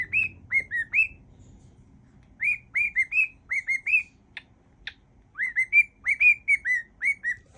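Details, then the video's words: Pet cockatiel whistling a mash-up of songs, including Father Abraham; clear tonal whistles near the same pitch, each gliding up then dipping, in quick phrases of three or four notes with pauses, two short clicks between phrases. "Wednesday mash up | whistling cockatiel"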